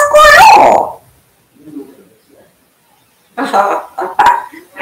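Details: African grey parrot talking indoors: a loud, drawn-out voiced syllable, a second of near silence with faint murmurs, then a run of quick speech-like syllables.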